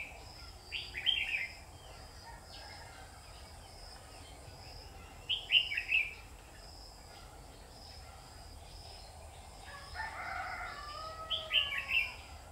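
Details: Bulbul song recorded at a trap on 12 August 2019: short, lively phrases of sharp rising and falling whistled notes repeat roughly every five seconds, with a softer, lower burble in between and steady background hiss.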